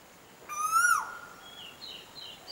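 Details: Koel singing a single loud slurred whistle, rising slightly then dropping sharply at the end, with rich overtones; faint higher chirps from another bird follow in a quiet background.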